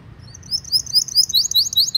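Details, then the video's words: Canary song for tutoring young canaries and prompting silent birds to sing: bright high chirps and slurred whistles, quickening into rapid repeated notes. "PANCINGAN KENARI GACOR PANJANG utk Masteran Kenari PAUD & PANCINGAN Kenari MACET BUNYI"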